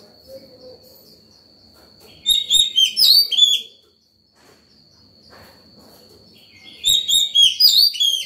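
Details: Excited white-rumped shama giving morning song to call other birds and tutor young birds; two short loud bursts of ringing, sharply slurred whistles, separated by quiet, with a constant faint high whine.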